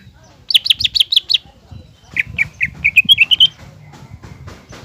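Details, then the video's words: Green leafbird singing to goad a spotted juvenile leafbird: a fast burst of high twittering notes, a pause, then a series of lower whistled chips climbing in pitch, over a faint low hum. "CUCAK IJO GACOR MEMANCING CUCAK IJO TROTOL AGAR EMOSI DAN PANAS"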